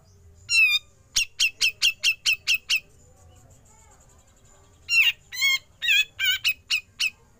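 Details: Grey-cheeked bulbul besetan and ngepik calls for training songbirds: one wavering ringing note leads into a fast string of about seven sharp notes; after a pause, harsh rasps blend into a jumbled burst of ringing, quavering notes.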